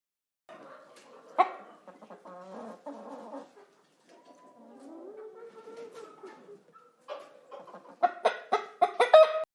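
Hen clucking in short, low, throaty notes that grow quicker and louder toward the end, with a voice naming the bird.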